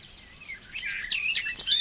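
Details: Barred Warbler song recorded in the water-meadows and coastal pastures of Matsalu, USSR, 1979 field recording: a loud, scratchy, chattering warble of rapid harsh notes building in strength, with other birds faintly behind.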